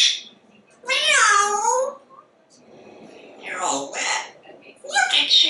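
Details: Pet male African Grey Parrot known for talking and for saying meow, indoors; a drawn-out wavering cat-like meow, followed after a pause by harsher rasping speech-like syllables.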